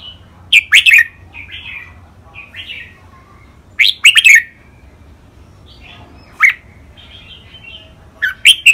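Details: Caged red-whiskered bulbuls sing a training song of the rik, beul, lak wai, mae bot and nap dok types. Sharp whistled phrase groups every few seconds, with quieter short warbled notes filling the gaps.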